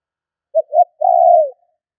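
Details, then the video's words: A single spotted dove phrase used as a lure for wild birds: two brief low coos, a short pause, then a sustained mellow coo that drops slightly as it fades, on a quiet background. "Tiếng chim cu gáy gọi thúc kích bổi nhanh nổi"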